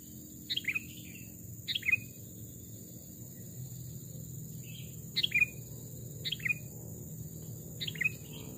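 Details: Sooty-headed bulbul, a captive decoy bird, tried out singing in the forest. Short bubbly phrases of two or three falling chirps repeat at irregular intervals, about five times, against constant low rumble and faint hiss.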